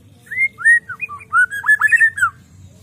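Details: Gacor song of a white-rumped shama: a rich run of clear, slurred whistles rising and falling, ending in quick bright twists, over a faint steady hum.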